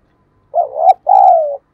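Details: Spotted dove used as a decoy, calling to attract wild birds: a single loud phrase of a brief rising coo then a longer, gently falling coo, no other sounds.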